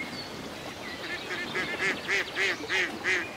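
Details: Ducks by a lake on a peaceful country day, gliding across the water; a steady run of nasal quacks, about three per second, growing louder and more evenly spaced toward the end.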